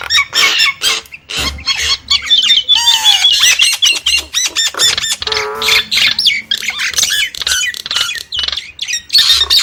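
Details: Dense Nias hill myna singing: sharp squawks and clicks alternating with looping whistles and a low, buzzy, harmonic honk midway, all in fast, irregular bursts.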